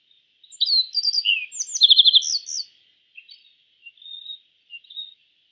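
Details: An East Asian yellow bunting delivers a loud, fast phrase of clear slurred notes that ends in a quick trill. Scattered quieter, drawn-out notes follow in a calm background.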